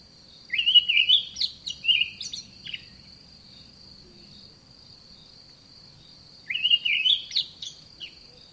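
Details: Olive thrush in a garden giving two short bursts of clear, slurred whistles with quick rising and falling notes. Each burst lasts about two seconds, and they come roughly six seconds apart over a steady high insect-like hum.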